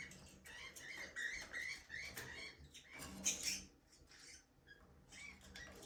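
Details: Budgerigars, a breeding pair of pets singing and playing in their aviary, chirp in quick, scratchy bursts of high warbling notes.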